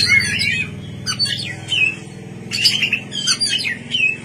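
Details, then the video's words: White-rumped shama in night song, bursts of quick chirps and whistles separated by short gaps, over a constant low droning hum. "pancingan kacer gacor malam hari"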